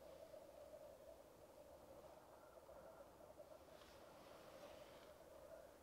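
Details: Lekking black grouse, recorded with a camera-mounted Rode Videomic Go: a sustained low bubbling chorus throughout, with a soft hissing burst near the end.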